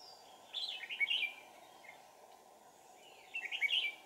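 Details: Red-whiskered bulbul decoy luring wild birds: two short warbled, bubbling phrases separated by nearly three seconds, against a steady low hum.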